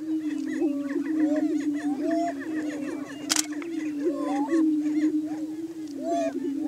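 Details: Greater Prairie Chickens in courtship display on a lek, or booming grounds, on a high hill in Washington County, Kansas, in the morning. A steady low droning boom runs throughout, overlaid by many rising and falling whooping calls and cackles from several birds.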